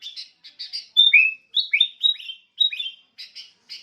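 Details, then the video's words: Sooty-headed bulbul: soft doubled chips opening and closing a phrase of loud swooping whistles that dip and rise, about three per second, with nothing else audible. "SUARA BURUNG KUTILANG"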